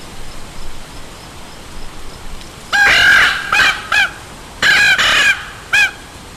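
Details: Raven calling: a burst of ringing, harmonic notes with a slightly arched pitch, about six calls delivered in two clusters over three and a half seconds, some doubled, against a quiet background hiss.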